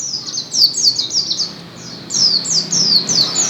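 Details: White-eye singing vigorously, linked to Gresik: quick runs of thin, high, downslurred notes, each dropping sharply in pitch, delivered in two bursts separated by a brief quieter pause.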